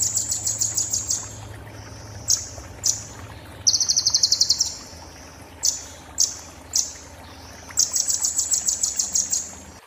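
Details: Konin (Purple-throated sunbird) singing "muntah beling" style, a tutor song for magpie-robins and shamas: piercing high chattering trills and short upslurred whistles in separate bursts, over steady low background noise.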